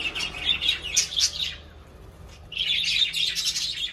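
Budgerigars chatter in quick, high, scratchy chirps and warbles, pausing briefly before resuming.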